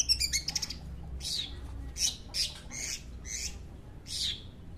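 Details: Kept long-tailed shrike among bird-hobby enthusiasts giving a rapid stuttering series of buzzy notes, then harsh, raspy squawks repeated roughly every half second over a low background hum.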